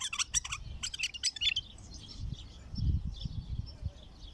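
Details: A wild bulbul, of the Baghdadi type, gives its first opening song: a quick burst of bright, chirpy notes, then softer, higher warbling phrases over a low background rumble.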